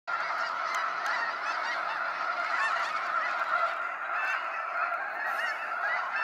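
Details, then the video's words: Snow geese pouring out in waves at sunset from Sacramento National Wildlife Refuge: a dense, unbroken chorus of nasal honks from a large flock, overlapping continuously with no pauses across the whole stretch. "Waves of Snow Geese Sunset Fly-out"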